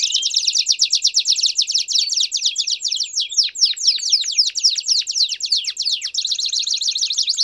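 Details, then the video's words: Campainha-style canary song with piados, meant for teaching young canaries: a dense, unbroken stream of very fast high notes and quick downward sweeps that lasts throughout. "Canto Campainha Com Piados Top Para Treinar o Canto de Canarios Filhotes!!!"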